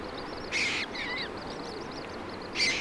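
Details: Moorhen mother with fluffy chicks at feeding time in Germany: steady high, arched peeping notes repeated quickly, with two short, harsh rasping bursts near the start and the end.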